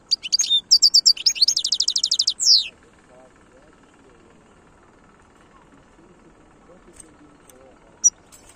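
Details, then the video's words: European goldfinch song recorded in Algeria in 2022, from a wild-type bird: an opening burst of fast, high chirps runs into a quick buzzy trill of evenly repeated notes, followed by quiet with a couple of isolated chips. "تغريد الحسون خلوي chont chardonneret"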